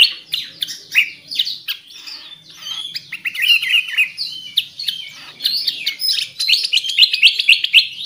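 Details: Black-crested Bulbul (Pycnonotus melanicterus) song: a dense run of bright, chirping and warbled notes, about four a second, with quick rising and falling slurs.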